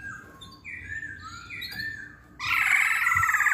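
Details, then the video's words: Masked laughingthrush song used as a lure to make other birds sing: clear whistled phrases sliding between notes, then a loud, harsh, dense burst of chattering notes at the end. "Kicauan Poksay Hongkong"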